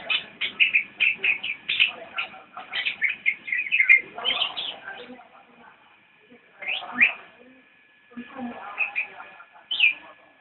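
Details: A Javan white-eye sings a nyinden-style song. Busy runs of quick twittering chirps give way to sparser, isolated notes separated by short silences.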